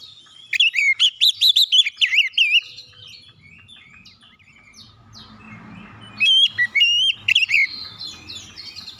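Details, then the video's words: Oriental magpie-robin song for provoking other birds to sing: a rapid chattering stream of varied whistles and sweeps, a quieter pause with faint low background rumble, then renewed loud, clear slurred whistles. "KICAUAN KACER PEMICU EMOSI"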